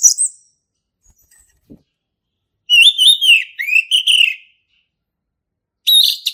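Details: A male orange-headed thrush sings in the 'gacor ngeplong' style for young birds to learn from: a brief high note, silence, then a run of rich warbled whistles and a closing burst.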